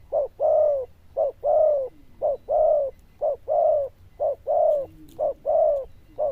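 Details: Zebra dove with a loud 'đồng chuông' bell-like voice and good cooing rounds. Paired coos, a short clipped note then a longer downward-bending one, repeat about once a second, clean against a quiet background.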